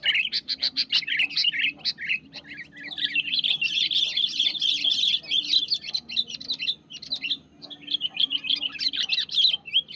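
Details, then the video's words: Wild sooty-headed bulbul in a long, busy song against a rival: continuous rapid chirping and warbled chatter rising and falling in intensity, with a short gap near the end, low hum in the background. "SUARA GACOR BURUNG KUTILANG MENEKAN LAWAN"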